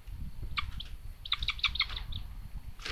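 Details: Common buzzard nest in Tiszalök, Hungary, 29 May 2022, where a little sister attacks her brother: two clusters of short, piercing chip notes over steady low rumble, ending in a harsh burst.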